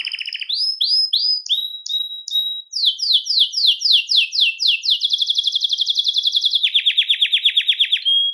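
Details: Belgian canary singing to attract and call other canaries: rapid trilled rolls shifting between phrases, fast buzzy tours, a run of repeated descending whistled sweeps, then a lower rattling trill ending in a clear note.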